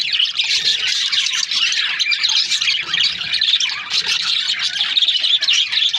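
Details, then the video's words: Many budgerigars from breeding pairs chattering continuously, a thick wall of high, scratchy warbling and chirping that never pauses. "Budgies parrot chirping sound"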